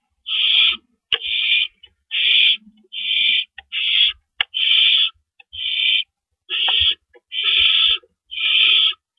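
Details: Owls at the nest around 4:31 AM, April 4, 2012, as rabbits are carried in and out. A long series of about ten noisy hissing screeches, roughly one per second, is broken by sharp clicks and thumps.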